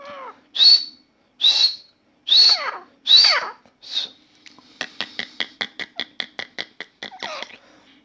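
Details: Grey francolin calling continuously indoors: four loud, sharp rising notes spaced about a second apart, followed by a long train of rapid, quieter ticking clicks.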